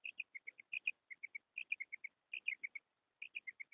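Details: Female rain quail call used as a hunting lure in Pakistan: short, bright, high notes repeated quickly in tight bursts of about four, with brief pauses between groups and faint low rustling beneath.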